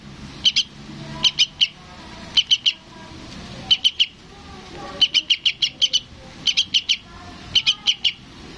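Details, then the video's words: Young sooty-headed bulbul calling for its parent, giving clusters of two to five sharp, high chirps separated by brief pauses, over a quiet background with faint low hum. "SUARA BURUNG TRUCUKAN ANAKAN MEMANGGIL INDUKNYA"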